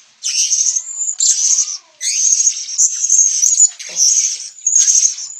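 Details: In Sabah, Borneo, a blue-crowned hanging parrot gives bursts of high, sibilant, buzzy chatter, roughly one burst per second, with a few short pauses.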